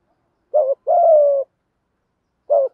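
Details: Spotted doves, male and female, cooing in the thổ voice style to stimulate training birds: a short deep note, then a long steady coo that slowly falls, a pause, and one more short note.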